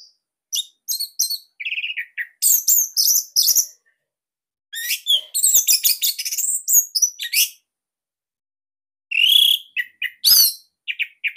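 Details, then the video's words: Orange-headed thrush of the Bali type, with a unique, dense and loud song used as master material for training other birds: bursts of high, varied whistles and chips in three bouts separated by short pauses, with clean, quiet background. "Kicauan ANIS MERAH Ini Cocok Buat Masteran Burung Sahabat Dirumah."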